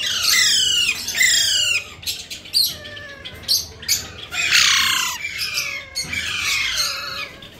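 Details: Indian ringneck or Alexander parrot presented as talking; rapid series of harsh descending screeches, several in quick succession, then scattered short squawks and clicks.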